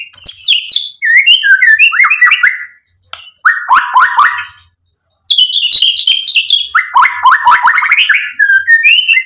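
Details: Murai batu, the white-rumped shama, singing a lure song meant to excite a rival into replying: rapid varied phrases of chirps and rich whistled notes, a short silence midway, then another dense burst of trills.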